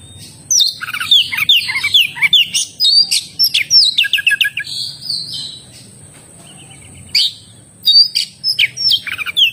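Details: Oriental magpie-robin (kacer) singing vigorously ('gacor'): a long, rapid medley of high whistles, slurred notes and chatter lasting about four seconds, a quiet gap, then another bright burst of varied phrases.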